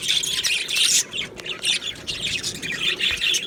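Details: Aviary budgies singing and chirping as a flock: a dense wash of high scratchy warbling that breaks off briefly after one second, then resumes in rolling bursts.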